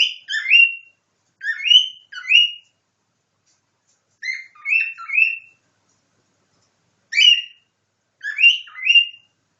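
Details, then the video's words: Pet cockatiel indoors copying a nightingale: short bursts of harmonic whistled notes, many rising, grouped in phrases of two or three separated by silences of one to three seconds. "Попугай корелла Ричи копирует соловья"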